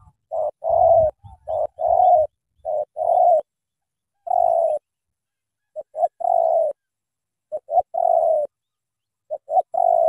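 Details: Spotted dove, Cà Mau, Vietnam, in thổ tơ style. A ten-second series of phrases, each opening with one or two clipped notes before a long, low, smooth coo, spaced irregularly. Faint low thumps occur near the start.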